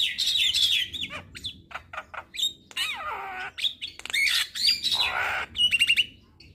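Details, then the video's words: Javan myna singing in a tutor and lure recording meant to get a bird singing actively and bobbing its head: a busy mix of harsh squawks, buzzy rasps and short clear whistles, delivered in quick uneven bursts. "Masteran Dan pancingan Jalak Kebo"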